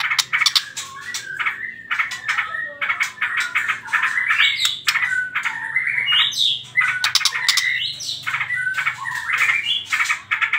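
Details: White-rumped shama song in the rapid trotol style, used as a lure to provoke other birds to sing: a dense run of stuttering, chattering notes with short whistled slurs and squawky bursts, pausing briefly, then rattling on again.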